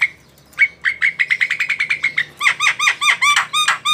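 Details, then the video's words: Javan myna singing a quick stuttering series of short notes that shifts into repeated loud downslurred whistles, delivered fast and without pause. "SUARA BURUNG JALAK KEBO GACOR"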